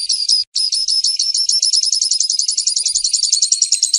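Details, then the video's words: Grassland yellow-finch (canário tipio, canário da horta) from Brazil singing a long, high, rapid trill of buzzy repeated notes that runs steadily after a brief opening break, with no other clear sounds. "Canto do Canário Tipio - canário da Horta"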